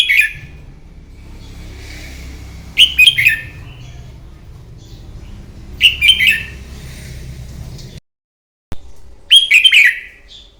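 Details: Red-whiskered bulbul giving competitive morning song for training another bird: short, bright warbled phrases of falling whistles every three seconds over a low rumbling background, with a brief gap in the sound.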